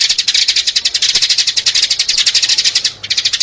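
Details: Sparrow calls used as a decoy to lure sparrows: dense, rapid chirps repeated about ten times a second, high-pitched and continuous, with a brief break near the end.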